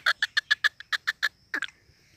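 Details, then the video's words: Free-roaming black francolin in high spirits, giving a run of nine harsh, clipped clucking notes at a fast, even pace of about seven per second, then a brief pause and a quick double note, with no other clear sounds. "azad ghoomny wala teetar ki masti ki awaz kala teetar"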